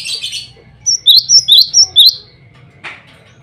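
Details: Cinereous tit male singing to challenge rivals and attract a female: a short burst of five or six bright, high whistled notes, alternating higher and lower pitches, followed by a soft rustling noise.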